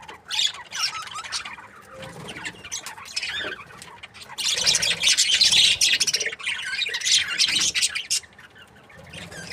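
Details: Several budgerigars kept as breeding pairs chatter together in dense, buzzy, high-pitched warbles and squeaky chirps. The sound rises and falls in uneven bursts, with a louder stretch in the second half.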